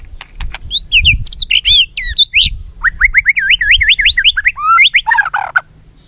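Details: White-rumped shama song used as lure material to train other shamas: varied high whistles and slurs, then a quick run of about ten repeated rising notes, ending in lower slurred phrases.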